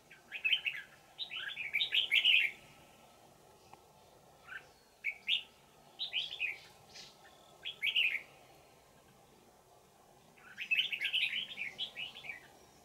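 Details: Old wild red-whiskered bulbul singing during trapping with a decoy on 20 December 2018. Its voice is described as a ringing, twisting bell voice. Bright warbled phrases are given in bursts of one to two seconds, with quiet gaps between them, over faint steady background hiss.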